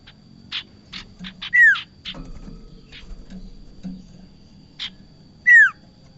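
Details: Bar-winged prinia used as a trapping lure: a run of short dry chips, a loud whistled note sliding downward, quieter scattered chips, then another matching descending whistle near the end.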